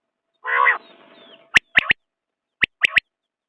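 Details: Common quail: a short rough, buzzy note, then two clear phrases of one sharp note and a quick double note, spaced about a second apart.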